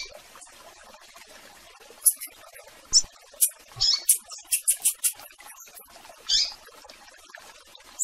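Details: Rusty-collared seedeater peeping to call a female, blue-black grassquit also around; isolated high chips build into a quick series of sharp, very high ticking notes, then a single buzzy chirp.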